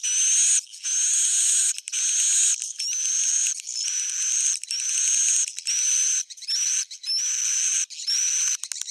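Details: Roosting call of swiftlets, played to attract them: harsh buzzing chatter in long blocks, broken by brief pauses roughly once a second, each block carrying a thin upslurred whistle.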